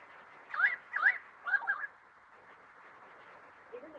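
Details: Currawong singing during a light rain shower: three ringing, upslurred notes, the last a short doubled phrase, over steady hiss of rain on a tin roof.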